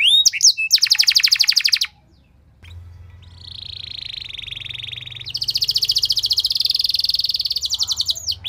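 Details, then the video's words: Canary lure song with long loud phrases to set off other canaries: a fast shrill rattle, a short silence, a softer nasal buzzy trill, then a bright loud rapid rattle. "Langsung Respon Burung Kenari Kondisi Apa Saja Dengan Pancingan Kenari Nembak Panjang Keras Ini"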